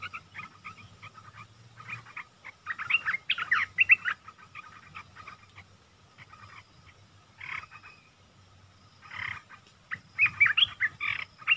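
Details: A caged red-eyed bulbul, recorded 10 August 2021, gives bursts of bubbly, chattering notes in irregular clusters over a steady electrical hum.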